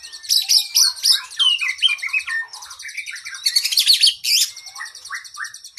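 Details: Oriental magpie-robin training song for cage birds, long and varied: high rapid trills overlaid with lower whistled slurred notes, descending phrases and quick chips, delivered without pause in energetic, rich bursts.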